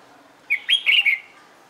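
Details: One quick bulbul phrase from a red-whiskered bird in singing-competition training: three to four liquid whistled notes run together, rising and falling, lasting under a second.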